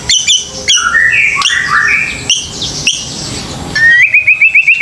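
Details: White-rumped shama song as a lure for young birds: sharp high clicks mixed with gliding whistles, ending in a rapid run of repeated rising chirps.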